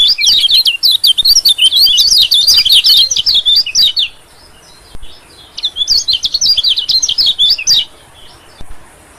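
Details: Lure recording of a white-eye used to draw in small birds, chiefly white-eyes: a dense, high, twittering chatter for about four seconds, a short silence, then a second shorter burst.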